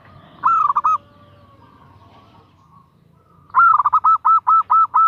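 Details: Female zebra dove calling to attract a male: a short run of rapid, mellow cooing notes, a pause of about two and a half seconds, then a longer burst of seven quick, evenly pitched notes.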